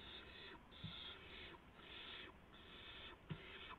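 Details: Barn owls in the early hours of March 16, 2016, with a gopher delivered to the owlets. Long raspy hisses sound in five drawn-out bursts, with a couple of soft knocks underneath.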